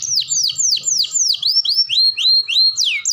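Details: Canary singing a gacor training song meant to prompt young and adult canaries: a steady series of loud descending whistled sweeps, about four each second, shifting into lower rising-then-falling slurred notes, with faint low rumble beneath.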